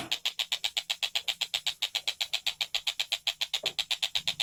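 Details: Kingfisher known locally as Tengkek Buto, singing actively: a fast, even series of sharp, high notes, about four per second, repeated without pause for the whole stretch.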